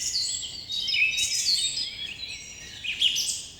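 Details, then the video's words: Several birds chirp at once in the morning, layering thin high whistles and quick sliding notes into a busy, continuous chatter. "Birds chirping sound effect"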